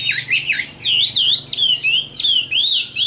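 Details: Loud, close Chinese hwamei song from a mature wild-caught Tam Hoàng bird: bold, clear whistled notes that swoop down and up, repeated in quick succession about every third of a second.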